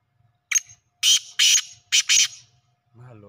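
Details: Black francolin, known locally as kala teetar, calling in a village setting: a thin brief note, then four loud, harsh, grating notes grouped in two quick pairs over about 1.3 seconds, followed by a low murmuring human voice.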